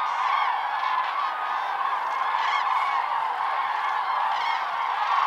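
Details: Common cranes in huge troops on Lake Hornborga at early morning, before sunrise, sounding their fanfares; loud, resonant trumpeting notes from many birds merge into a constant chorus.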